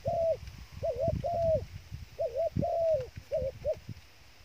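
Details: Bait dove cooing in short two-note groups, each note a clear, level-then-falling hoot, phrases broken by pauses, with low thumping and rustling noise underneath.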